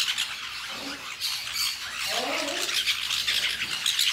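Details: Lorikeets feeding on fruit in La Fortuna, giving a dense stream of harsh, high, scratchy squawks and chatter with no pauses, several birds overlapping throughout.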